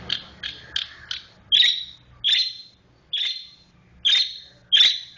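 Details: Long-tailed shrike (cendet), 'roll speed rapat' style: four quick short chirps, then five louder, harsher high notes spaced under a second apart.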